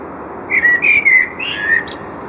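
A common blackbird sings a short, mellow fluted phrase of a few whistled notes, ending in a thin, high squeaky twitter, over faint background hiss.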